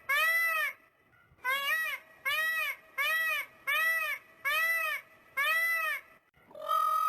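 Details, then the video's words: Peacock on a small farm giving its mating call: six loud, nasal, wailing calls, each arching up and down, spaced under a second apart, in a rapid series with no other sounds. "peacock mating call"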